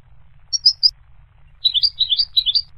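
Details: Three clear, high goldfinch chirps, a short pause, then a lively series of liquid, bouncing notes rising and falling in pitch.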